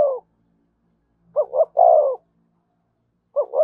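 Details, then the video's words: Spotted dove cooing in thổ voice, thúc and kèm styles: a low two-note stutter followed by a long falling coo, then another stutter beginning, in otherwise quiet surroundings. "tiếng cu gáy giọng thổ thúc và kèm hay nhất"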